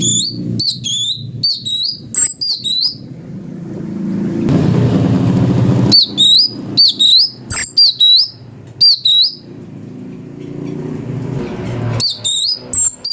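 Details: Cucak cungkok, or Brown-breasted Bulbul, tutor song for magpie-robins: clusters of sharp, hooked chirps repeat in bursts. A passing vehicle-like rumble fills the gaps between clusters.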